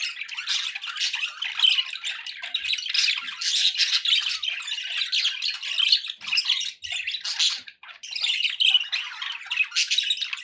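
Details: Pet budgerigars give over ten seconds of steady scratchy warbling, full of squeaks, ticks and brief whistles, with a couple of short dips in volume.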